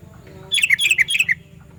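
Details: Sooty-headed bulbul, a loud, piercing call used to lure other bulbuls; a quick burst of about eight bright, slurred whistled notes in under a second, over a faint low hum.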